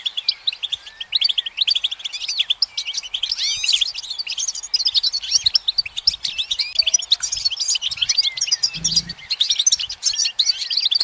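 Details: Goldfinch song, delivered from a sunlit branch: a dense, unbroken stream of bright twitters, rising and falling slurred notes and rattling trills, with a short low knock toward the end.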